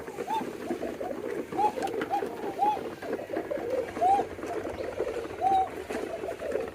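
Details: A male domestic pigeon whose hoarse voice from phlegm was treated with mustard seeds gives soft, low, rolling coos, each note rising and falling, over a busy murmur of other birds.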